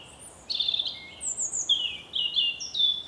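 European Robin singing a run of high, thin, wistful warbled phrases, each shifting in pitch, given in quick succession over a quiet background hiss.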